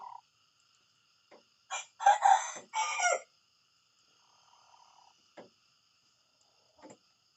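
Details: Morning crow of a rooster: a rough, stepped call of about one and a half seconds, with several loud syllables. A few soft clucks and clicks follow in an otherwise quiet setting.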